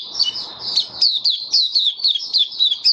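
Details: Caged white-eye (mata puteh), March 2022, warm humid weather; a lively high warble of repeated thin, falling whistles, closely spaced and brisk throughout.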